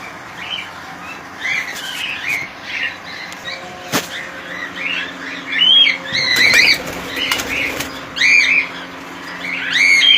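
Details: Many cockatiels in a colony chatter with arched, shrill whistled squawks that grow louder and denser toward the end, mixed with clicks and fluttering wingbeats.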